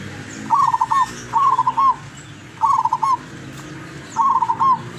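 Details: Lurah-grade zebra dove, a wild local decoy bird from Tuban, East Java, sings four quick bubbling coo phrases with stuttering notes ending in a longer held note, repeated roughly every second.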